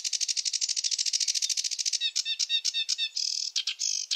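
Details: Male sedge warbler in full song, opening with a fast, even rattle of dry clicking notes, then switching to jerky chattering phrases and short buzzy trills in random order; clean, close recording without background noise.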